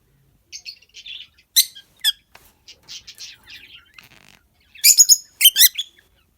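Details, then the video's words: Peach-faced lovebirds, males and females in a breeding colony with new chicks, giving short high chirps and squeaky notes in irregular bursts, with louder harsh squawks near the end. "Peachface lovebirds male female chirping"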